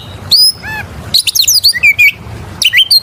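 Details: Oriental magpie-robin (kacer) song used as a lure to trigger other birds, a constantly singing (gacor) bird: loud, clear, varied whistles, with high sweeping slurs and quick rising and falling notes in rapid bursts.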